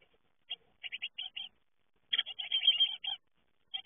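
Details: Young great tits leaving the nest: short bursts of high, chattering calls in quick clusters, a few notes, a pause, then a longer dense run near the end.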